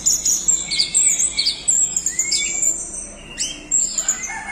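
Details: Orange-headed thrush in a 'doyong teler' singing bout: a rapid, varied run of high, sharp whistled and chattering phrases, with thin slurred notes and brief rising whistles lower down, loud bursts broken by short pauses.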